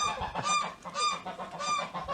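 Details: Chukar partridges kept in a roomy aviary start calling once the sun appears after a snowfall: strong, ringing, honk-like harmonic notes given in repeated bursts about every half second, with brief gaps between.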